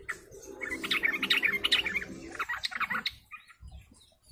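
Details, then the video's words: Ombyokan flock sound of sooty-headed bulbuls, played to lure birds: rapid overlapping bubbly chirps for about three seconds over a low steady drone, then fading scattered notes. "pancingan suara trucuk ombyokan"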